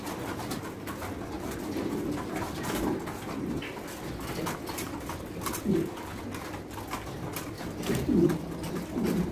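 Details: Domestic fancy pigeons in breeding cages at a pigeon farm in India: soft murmuring coos over steady background hiss, with a few louder gurgling coo phrases standing out near the end.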